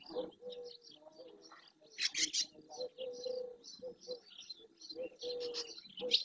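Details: Barn swallows massing in early June at the edge of the Doñana marsh in Andalusia, Spain, many of them young birds; sharp, high twittering bursts come throughout, with a loud cluster near two seconds, above lower drawn-out notes of other birds.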